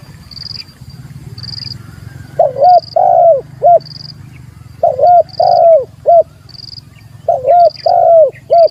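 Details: Spotted dove calling to challenge a rival: mellow cooing phrases of three notes, the middle one longest, repeated about every two and a half seconds, over a steady low hum and a regular high electronic-sounding beep.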